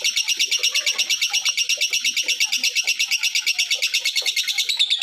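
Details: Lovebird calling to draw other lovebirds into calling; a loud, continuous high chatter of evenly pulsed notes, nearly three per second, fills the whole five seconds with faint clicks underneath.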